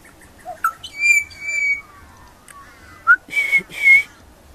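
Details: Juvenile pied butcherbird singing very high: clear, sustained whistled notes, some held flat, others sliding, with short rising slurs and a pair of rich whistles near the end.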